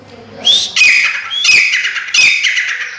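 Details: Black francolin, a Sindhi bird offered for sale, giving loud harsh grating calls in three bursts about every 0.8 seconds. Each phrase slurs downward with buzzy overtones, and faint murmuring sits underneath.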